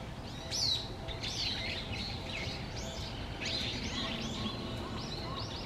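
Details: Little grebe chicks at feeding time, late November 2023, Musashiseki Park, Japan: high, thin peeping chirps, each briefly rising and falling, given in loose bursts over steady background noise.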